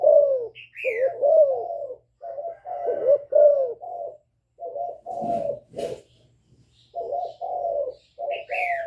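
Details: Young spotted dove giving a calling coo mixed with bowing coos, a lure style meant to provoke wild doves; dense runs of low, mellow, slightly falling coos, short high descending notes now and then, and a brief rustling burst midway.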